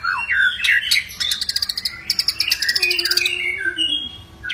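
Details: White-rumped shama in aggressive, fighting mood, singing to provoke rival birds into song: varied whistles, then a rapid rattling series of high buzzy notes, a steady low tone underneath, ending with scattered whistled phrases.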